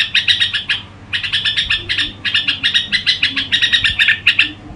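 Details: A Red-whiskered bulbul's crooning song opens with a fast chirping run, pauses briefly, then resumes in long unbroken strings of crisp, high notes over a quiet low hum.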